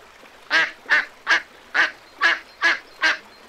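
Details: Duck at a lagoon giving seven loud, harsh quacks spaced about every 0.4 seconds, each nasal burst rich and broad, with quiet gaps between.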